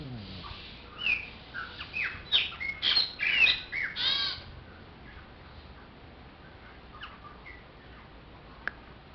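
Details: A Chopi blackbird gives a quick cluster of bright, chirpy, whistled phrases over about four seconds. Near-silence follows, with a couple of faint notes and one sharp click.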